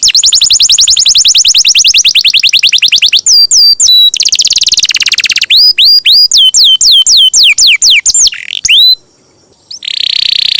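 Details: Canary song played to stimulate other canaries to sing: very loud, rapid high trills of repeated upward notes, then series of sharp sweeping whistles and buzzy rolls. A brief silence comes near the end.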